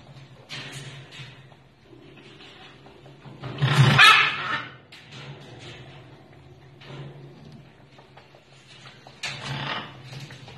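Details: Young blue-and-gold macaw chicks give harsh, raspy squawks, one loud grating burst midway and softer ones near the start and end, over a steady low room hum.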